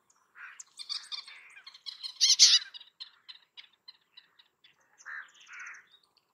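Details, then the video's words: A varied, jumbled phrase from a Bay-backed shrike. Scratchy twittering notes mix with short whistles, peaking in a loud harsh rasp near the middle, then two soft rounded notes close it. "Bay Backed Shrike Song"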